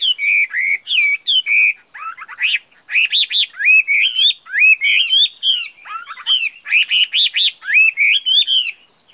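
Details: Chinese hwamei (Garrulax canorus), a bright-plumaged caged male, singing a loud, rich run of varied whistled phrases, with slurred rising and falling notes and quick buzzy trills, delivered almost without pause.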